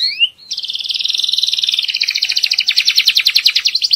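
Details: Canary singing, a bird kept by a Belgian canary breeder, song used for teaching young birds and preparing the female for breeding: a short rising whistle, then a long fast buzzy trill of rapid repeated notes that slowly descends.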